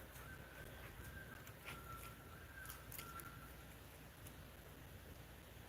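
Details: Common loons on a lake beside a campsite, heard at night in the near distance: a faint, drawn-out note holding steady mid pitch for about three seconds, over low rumbling noise and a few soft knocks. Common loon.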